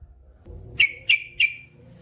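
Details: Yellow-vented bulbul (trucukan), male in full song: three sharp, bright chirps about a third of a second apart, each dropping quickly in pitch, over a faint low rumble.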